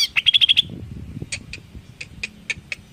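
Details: Greater green leafbird song meant to provoke other leafbirds: a quick rattling trill of high notes, then spaced soft chips against low background noise.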